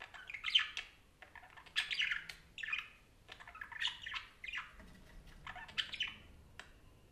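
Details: Parakeet talking in grouped phrases of scratchy warbles and high squeaks, each cluster followed by a brief quiet gap.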